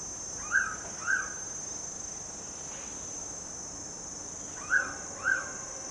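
A mangrove pitta gives two pairs of clear, slurred whistles, each pair about half a second apart, over a steady high insect drone.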